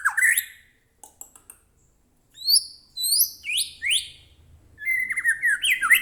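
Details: Captive white-rumped shama singing as a provoking lure for another bird: an opening downslurred note, faint clicks, then loud separate rising whistles followed by a fast run of varied whistled notes.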